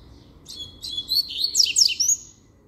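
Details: Double-collared seedeater singing firmly: a fast, jumbled phrase of high, sharp chirps and short rising-falling whistles lasting about a second and a half, over a faint low hum.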